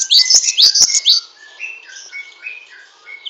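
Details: Great tit, locally glatik wingko, known for a long rattling chatter: one second of rapid high scratchy sweeps with a few sharp clicks, then quieter short flat whistled notes at a lower pitch.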